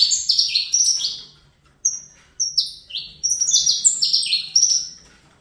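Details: A juvenile Saffron finch in captivity sings Fibra-style phrases: clustered high slurs, a pause, then spaced single sweeping notes building back into a dense, rapid trill.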